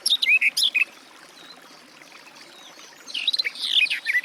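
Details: Garden warbler giving a brief burst of warbling notes, then near silence, before a softer, more hurried stretch of twittering song returns at the end.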